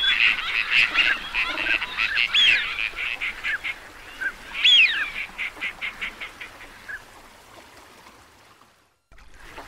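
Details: Teal ducks: fast runs of short nasal notes broken by two prominent swooping whistles. The calling slows and fades after about seven seconds, leaving near silence.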